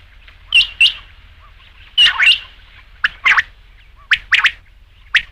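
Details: Batair, the rain quail, in a night hunting recording: short sharp paired notes, followed by harsher triple bursts, repeated at about one-second gaps.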